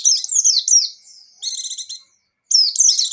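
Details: White-eye in full, lively 'gacor' song with 'ngecir' style rapid singing: high, thin twittering phrases with fast slurred and trilled notes, in three bursts separated by short pauses.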